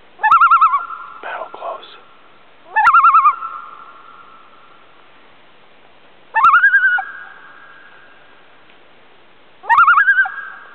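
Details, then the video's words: A loon on Chant Lake, a small lake off Burntside Lake near Ely, Minnesota, in August 2006, gives four quavering, yodel-like cries about three seconds apart, each wavering in pitch then settling into a long, ringing, echoing tone. "Loon calls"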